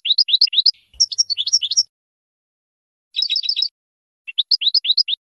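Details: European goldfinch song recorded to train young birds: short bursts of rapid rising chirps and tinkling twitters, broken by brief silences, with one low soft thump.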